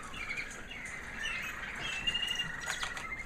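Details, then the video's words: Canary hen of the American Singer breed, white, proven breeder from 2009, singing after the molt: a sustained high warbling line with a thin whistled note, ending in brisk chirps. "Singing canary FEMALE"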